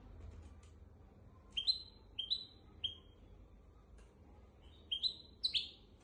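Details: Goldfinch and canary hybrid, recorded as a teaching song for goldfinches and canaries, gives sparse clear whistled notes that sweep upward, in small groups separated by pauses, over a faint low background hum.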